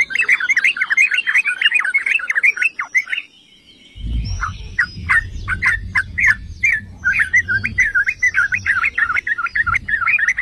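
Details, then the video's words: Yellow-vented bulbul song used to set off other bulbuls singing: a continuous torrent of bubbling, warbled notes, a second of silence, then more spaced, sharper notes over low rumbling noise, building back to dense chatter. "Pancingan dan Masteran Trucukan"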